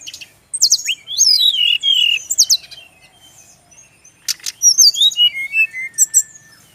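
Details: Male brown-chested jungle flycatcher song used for training birds: loud swooping whistled notes dropping in pitch, a pause, then a harsh burst followed by a series of descending clear whistles.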